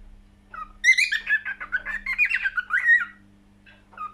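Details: Cockatiel song made of a continuous two-second stream of chattering, warbled whistles with squawky harmonic notes, some clear slurred tones within, then softer single chirps trailing off; faint steady hum throughout.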